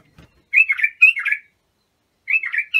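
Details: Abu Shuaib bulbul song for teaching young bulbuls: two quick slurred whistled phrases back to back, then after a short pause another phrase begins, mellow and fluty, with a faint low knock at the start.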